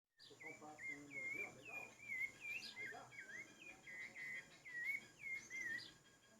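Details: Rufous-bellied thrush singing a run of clear, whistled, mellow phrases, each a short rising-and-falling slur repeated with small variations. Faint background noise and other soft chirps are also heard.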